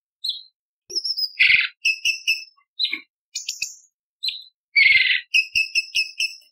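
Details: Bulbul used as a training recording for contest birds, with a sharp tembakan phrase style: varied whistles, a harsh burst, then clear paired high notes repeated several times in a clean, quiet recording.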